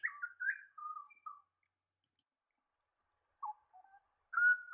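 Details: Pied butcherbird in wooded country of the New England region of NSW, Australia; clear, fluting whistled notes sliding up and down in a short phrase, a long pause, then a few more lower whistles and a bright rising note.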